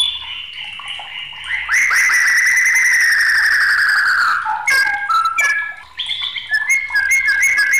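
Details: A white-rumped shama in an agitated song holds a long, rich, slowly falling whistle, then breaks into short varied notes and quick whistled phrases.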